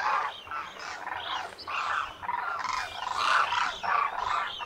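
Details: Flock of Demoiselle Cranes, Koonj, wintering at Khichan in India's Thar Desert, calling at the lake; grating, rolling croaks pile up in uneven waves, loudest toward the end.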